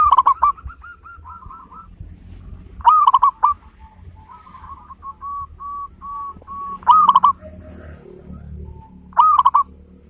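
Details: Loud-voiced local zebra dove, used as a singing stimulus for other birds: short loud bursts of hooked, rolling coos every few seconds, with quieter strings of flat, clipped notes filling the gaps; slight background hum.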